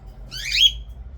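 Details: Cockatiel chick at morning feeding time, indoors: a single short raspy squawk that sweeps up and then drops away, over a faint low room hum.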